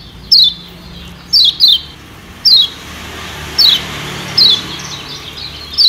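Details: Yellow white-eye of Lombok, played as a lure for wild birds: single sharp high notes slurring downward, given irregularly roughly every second, some in quick pairs, over quiet background.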